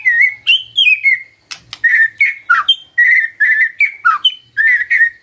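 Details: Morning lure song of a magpie-robin, meant to make a silent bird sing back, made of clear whistled phrases that level off, dip and flick upward, with short pauses between them.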